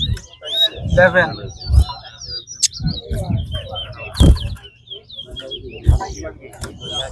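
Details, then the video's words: Competition Towa towa at Lamaha Ground pouring out a fast, high, wavering twitter broken by short slurred notes, over frequent men's speech and counting. "TOWA TOWA BIRD SINGING COMPETITION"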